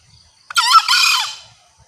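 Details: Female green junglefowl lure call meant to summon males, loud and clear: a single harsh, hoarse, crowing-like burst lasting under a second, with near silence on either side.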